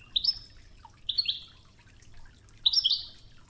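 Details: European goldfinch, Oued-style training recording with river water sounds; three twittering phrases, each a quick chirp trailing into a buzzy tail, the last a richer burst, over a faint water murmur.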